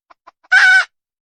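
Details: Wild red junglefowl hen: three soft clucks, then one loud, rough, drawn-out squawk lasting about a third of a second.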